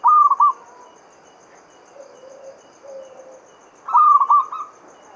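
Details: Local Javanese zebra dove lure song to set other doves singing: a loud stuttering coo phrase, two quiet low coos, then another loud stuttered phrase.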